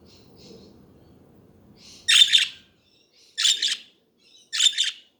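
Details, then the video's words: Pet budgies giving three loud, harsh buzzy chatter bursts about a second apart after faint soft warbling notes, over a low background hum. "Hours of chatting budgies to relax study and chill"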